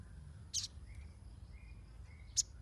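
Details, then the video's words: Ruby-cheeked sunbird lure sound for untrained birds: two brief, very high chirps about two seconds apart, the first doubled, with faint soft whistles of other birds and low rumbling noise behind. "SOGON NYERECET !! Pancingan untuk burung bahan"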